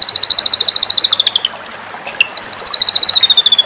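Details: Rapid high trill from a white-rumped shama, from a song-contest training recording. Evenly spaced sharp chips drift gently downward, pause for a moment with a few scattered notes, then resume and keep descending.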